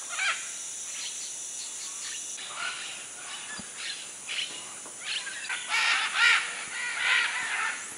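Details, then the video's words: Wild macaws at a clay lick in the Manu area, Peruvian jungle, among many macaws and other birds: scattered harsh, raspy squawks rising from a constant noisy chorus, growing louder and denser toward the end, with a steady high hiss behind. "Macaw clay lick"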